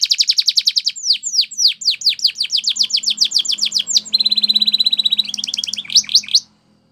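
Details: Singing Belgian canary giving training song: rapid repeated notes, a long series of downslurred whistles, a steady buzzy trill, a few more sweeps, then it stops abruptly.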